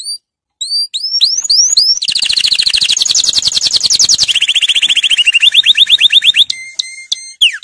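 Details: Canary song used to tutor young birds: rising whistled notes, then rapid buzzy trills that shift pitch in blocks, ending with flat held tones and a final rising sweep.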